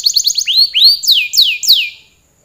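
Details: A brief phrase of the canary's gacor long song: a few quick chips, then slower swooping notes and sharp downward sweeps that fade out.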